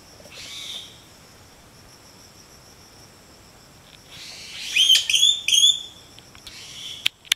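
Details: Yellow-billed malkoha from Sulawesi giving a brief high, scratchy note, then a quick cluster of squeaky rising and falling calls after a pause, ending with two sharp clicks.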